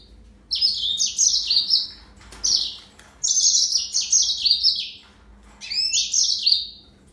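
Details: Yellow-fronted canary (Serinus mozambicus) singing high, bright warbled phrases in three bursts, each a quick run of sliding, trilled notes separated by short pauses, with a faint low hum behind.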